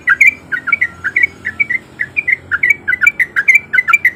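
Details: Rapid run of short, liquid, up-and-down chirps from a male sooty-headed bulbul, played as a lure to coax other bulbuls into song. The notes come about five per second over faint low hum.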